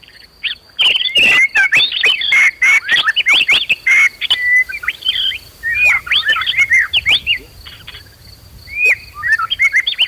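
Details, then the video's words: Emotional white-rumped shama singing to provoke fighting and loud singing in other birds; rapid, varied whistles and twisting chirps delivered in quick succession with sharp clicks, then sparser notes, over a steady high drone. "PANCINGAN MURAI BONGKAR ISIAN BIKIN KONSLET"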